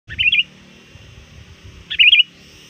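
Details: Sooty-headed bulbul, a trained lure bird, calling rivals near dusk: two short bubbly, warbled phrases about two seconds apart over a faint low rumble.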